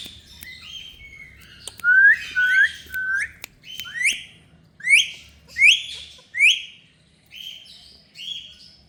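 A ring-necked parakeet gives about eight clear, chirpy phrases of rising and falling whistled notes, roughly one every half second. A faint low hum sits underneath.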